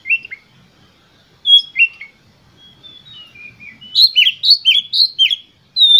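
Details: Oriental magpie-robin performing an emotional lure song intended to stir other magpie-robins. Scattered whistles and soft warbling give way to a fast series of loud, sharply repeated chirping notes.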